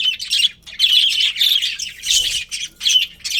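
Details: Colourful budgerigars of a breeding colony chirping in busy bursts of warbled, scratchy high notes, about four clusters separated by short quieter gaps.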